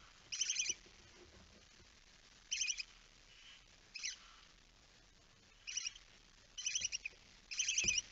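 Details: Lone barn owl chick at the nest, 9 September 2019, evening at 20:09: six quiet, rapid chittering bursts, high and scratchy, spaced irregularly over eight seconds against a low hum.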